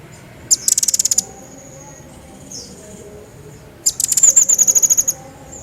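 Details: Lively pygmy bushtit, recorded to teach other songbirds: two bursts of fast, very high, sharp chirping notes, the second longer and slightly descending, separated by near silence.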